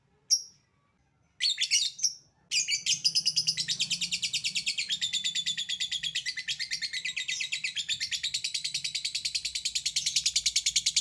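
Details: Lovebird calling, starting with a few separate ticking notes (ngetik) and then breaking into a long, fast, continuous chatter (ngekek) of high, buzzy pulses, used to provoke other lovebirds into singing.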